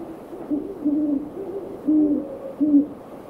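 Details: Several great horned owls in a backyard one evening give a rhythmic series of five deep, soft hoots over about three seconds, with a faint hiss in the background.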